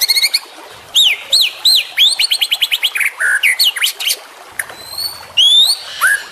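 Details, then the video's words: Singing juvenile white-rumped shama with varied, clear arching whistles, fast stuttered note clusters and sweeping slurs that change pattern every second or so. A few high rising whistles come near the end. "MASTERAN Trotolan Murai Juara Supaya Cepat Rajin Bunyi & Gacor"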